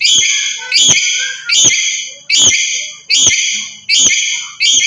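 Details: Loud calls of a black-capped lory from Papua, used to provoke other birds: a steady series of seven rasping, harmonic squawks, roughly one every 0.7 seconds, each opening with a sharp click.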